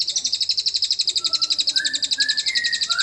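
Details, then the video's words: Continuous, rapid buzzing trill from a cililin, its high pulses repeating about four times a second, with short rising whistled notes appearing beneath. The song serves as lure material for magpie robins. "Buat membantu memancing semua burung murai bisa ada isian cililin"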